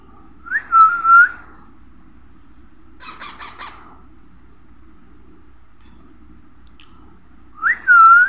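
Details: Baby parrot calling: loud, harsh, drawn-out squawks that rise then level off, repeated a few seconds apart, with a short burst of buzzy chatter between them over a low steady hum.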